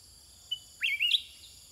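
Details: Caged sooty-headed bulbul singing back and forth with wild birds: a thin high note, then a short bubbly two-part whistled phrase that rises and falls, over a steady high insect drone.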